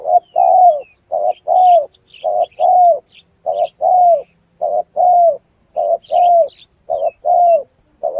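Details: Spotted dove calls used as a trapping lure, run close together without pause: low mellow coos and long burry coos repeated almost once a second, with faint higher chirps above.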